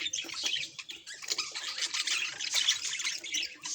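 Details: Domestic budgerigar, presented as a happy pet, chatters in a busy stream of raspy chirps and high squeaks, with short gaps between bursts.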